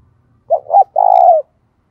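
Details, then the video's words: Decoy spotted dove cooing to lure wild doves: two short, abrupt hooting notes followed by a longer, steady, slightly buzzy coo that falls gently at the end, all within one second. Silence around it. "Tiếng Chim Cu Mồi Thúc Gù Và Gáy Gọi/ Chim Cu Gáy Kích Bổi Nhanh Nổi Hiệu Quả"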